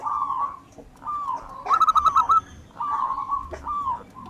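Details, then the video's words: Zebra dove of a local wild strain in full song, kept as a lure bird: mellow wavering coos around one loud quick rattling trill, over a faint low background hum. "perkutut lokal alam. Gacor Ampuh buat pancingan"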